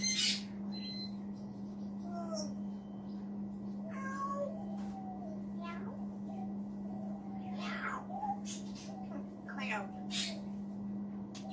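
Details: Pet African grey parrot perched on a chair in the background of a room, talking to himself with no person speaking. Faint, speech-like warbled phrases with sliding tones come in short bursts over a steady low electrical hum.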